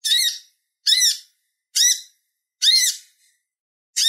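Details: Purple-throated sunbird giving loud, piercing chirps, used as a song model for other birds; five separate notes, each a short bright rising-falling twitter, spaced almost a second apart.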